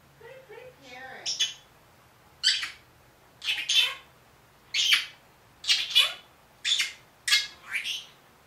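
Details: One-year-old pet Senegal parrot, which says "good morning" and "I'll be back": brief speech-like murmurs open the sequence, then about eight harsh, high, scratchy squawks repeat roughly once a second, indoors.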